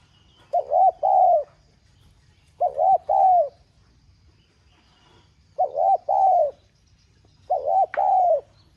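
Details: Spotted dove 'giọng son' urging call, used to make caged doves coo quickly: four evenly spaced phrases about two seconds apart, each a dipping hooked note followed by a fuller, longer coo, on a quiet background.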